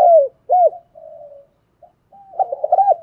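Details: Decoy spotted dove cooing to train newly caught birds to sing: a few low arched coo notes, a soft drawn-out hum, a pause, then a rapid rolling, quavering coo phrase.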